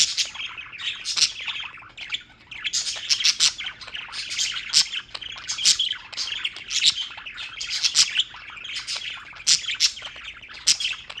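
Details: Pet birds from New York keep up continuous chirping, a lively overlapping chatter of sharp high notes and brief squawks with regular loud peaks.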